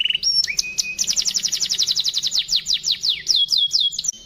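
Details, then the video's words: Canary with crystal-clear, richly ornamented song, used as a training model for other birds. Short whistles open into a long rapid series of descending swept notes, ending in slower clear slurs. "kenary cengkok mewah suara ngristal sangat cocok buat masteran"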